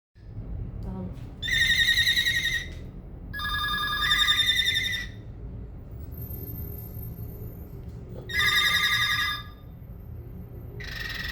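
A cockatiel gives bright, rapidly trilled whistles in bursts of about a second, rather like a ringing phone.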